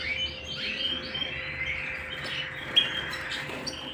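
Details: Canary singing at home: a high, fast warbling song with short whistled notes and rising sweeps over a faint steady hum.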